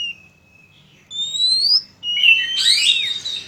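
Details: Oriental magpie-robin song used to lure birds, with male and female birds: a long thin whistle, then a rising high whistle, followed by a dense tangle of sweeping notes.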